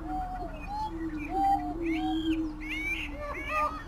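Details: Greater prairie-chicken (Tympanuchus cupido), a lek-displaying grouse of the United States, gives a low, hollow, droning boom running almost without a break, with higher whistled and cackling notes over it.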